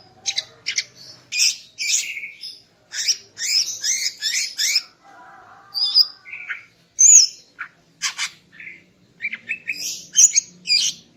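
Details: Greater green leafbird female singing in the morning to raise a male's breeding drive: long varied medley of quick chirps, trills and whistled slurs, with short pauses, clean background.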